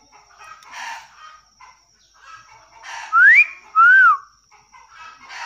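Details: Common hill myna (beo negaro) imitating a chicken: soft rough chatters interrupted by two loud clear whistles, one rising and one arching then falling, with a faint steady high tone in the background.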